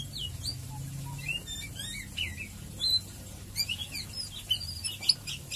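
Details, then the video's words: Murai batu, or white-rumped shama, singing ngeriwik ngeplong as lure audio to get birds singing: scattered high chirps and short twittering notes, then denser sharp trills in the second half, against a steady low background hum. "Murai Batu ngeriwik ngeplong"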